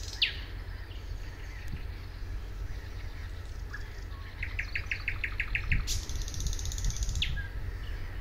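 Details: Song of a thrush nightingale at Suomenoja, 2022: a sharp descending whistle, a pause, then a rapid series of about seven dry clicking notes and further sharp calls, with low rumbling noise beneath.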